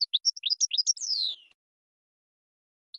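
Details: Goldfinch singing a fast run of high tinkling chirps, then a descending buzzy slur, followed by silence and a brief restart of twittering notes; no other sounds present.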